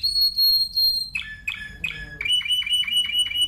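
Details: Spanish timbrado canary: a held high whistled note, then a series of short dipping chirps roughly every third of a second, ending in repeated bouncing notes over faint low hum.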